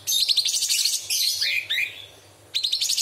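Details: Straw-headed bulbul in masteran song filled with mimicked small birds, big birds and insects: a loud rapid high chatter, then a drawn descending whistle and a swooping slur, a pause, then chatter resumes.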